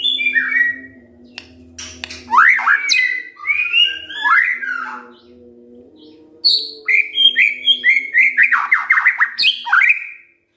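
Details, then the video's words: Morning song of a white-rumped shama meant to spur other birds into singing: varied whistled phrases with quick rising slurs, a burst of rapid repeated notes near the end, faint background hum. "Pancingan PAGI-PAGI AGAR MURAI GACOR❗ murai diam pasti ikut NYAUT EMOSI❗❗"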